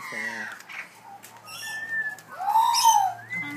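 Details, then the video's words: Australian magpies making weird noises, filmed on an iPhone: a descending whistled slur, a steady mid-pitched whistle and a rising-falling warbled note, with low harmonic honks at the start and faint background hum. "Australian Magpies Making Weird Noises!"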